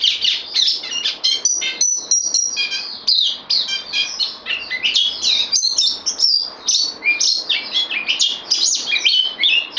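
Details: Bulbul on loan, a new arrival in a cage, recorded 12 September 2020: lively varied twittering mixed with a few drawn-out high whistled notes and quick chirps.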